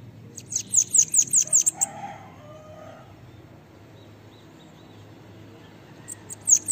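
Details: Sibite or cambacica (bananaquit) song meant for training other birds: roughly seven rapid, very high, sibilant notes, a long pause with faint background sounds, then a couple more notes at the end.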